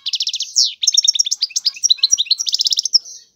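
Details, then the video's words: High rapid twittering from a European goldfinch, opening with a buzzy trill and a falling slur, then a rollicking chain of chirps ending in a drawn-out nasal note. "تغريد الحسون"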